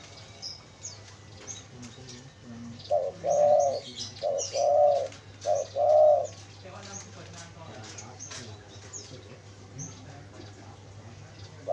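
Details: Spotted dove kept as a lure for wild doves coos three times, each a brief note then a longer hollow one, amid steady twittering and chirps of small birds.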